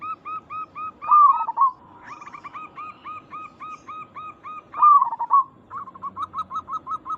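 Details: Cooing of a local zebra dove used to lure responses from others of its kind. Steady strings of clipped coo notes, interrupted twice by a loud, wavering trill.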